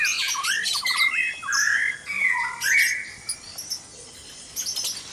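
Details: At dawn in a breeding cage, white-rumped shama gives a run of rich fluty whistles and sliding slurred notes over high chirps, then quieter scattered high tweets toward the end.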